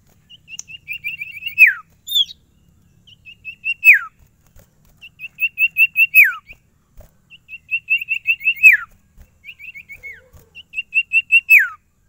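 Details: Caged Ashy Tailorbird (sirtu) singing its varied repertoire: repeated phrases of a fast, even, high trill ending in a sharp falling slur, given roughly every two seconds, with faint taps between.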